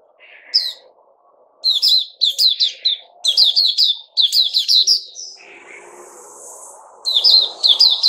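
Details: Bulbul fed fruit juice, a mealworm and a health drink, 08/05/2021: rapid series of sharp chirping notes in repeated bursts, a soft hissing sound midway, and a low background hum.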